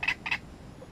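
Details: Great reed warbler recorded near its nest, giving two loud, rasping, croaky notes in quick succession with a brief gap between them.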